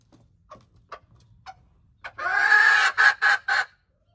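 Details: Hen crowing, recorded January 21, 2025: a few soft clucks, then a loud, harsh crow made of one long drawn-out hoarse note followed by three short, clipped bursts. The surroundings are otherwise quiet.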